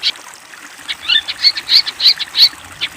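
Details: Brief burst of long-tailed shrike training song for young birds: a fast run of harsh, high squeaky notes, loud and closely spaced, about three per second.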